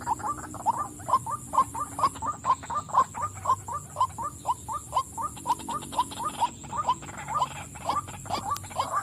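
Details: A calling female white-breasted waterhen gives a long, steady train of about nineteen short, clipped croaking notes, a little over two per second, with a faint continuous hiss behind.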